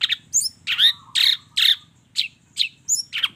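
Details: Long-tailed shrike in full song with many varied phrases, meant to provoke other shrikes into answering: harsh, scratchy high notes and squeaky upward slurs in quick separate bursts, about two to three each second.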